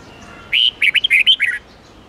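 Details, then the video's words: Brisk whistled phrase from a red-whiskered bulbul: a clear opening note followed by roughly eight rapid, twisting notes that dip and fall at the close, in the 8-9-10 note song style used to train caged birds. "Luyện giọng chào mào hót âm 8-9-10 xoắn tít cực hay"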